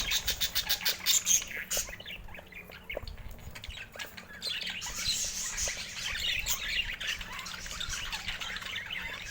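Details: Budgerigar flock chatter: a quick run of clipped, ticking chirps at the start, then a continuous wash of warbling, squeaky calls from many birds.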